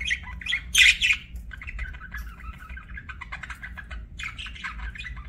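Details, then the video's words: Budgerigar chirping: busy warbling chatter of short scratchy notes and buzzy squawks, with a louder harsh burst near the start, then steady twittering over a low background hum. "BUDGIE CHIRPING SOUNDS"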